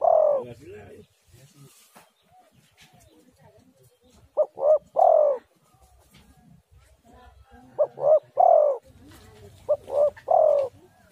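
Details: Spotted dove call used as a lure to make other doves call: soft low cooing phrases, two short coos then a longer drawn-out coo, repeated three times with pauses, faint background rustle.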